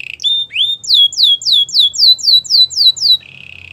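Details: Belgian canary singing for training, giving a clean series of loud downward-swept whistled notes, about four per second, closing with a soft buzzy trill.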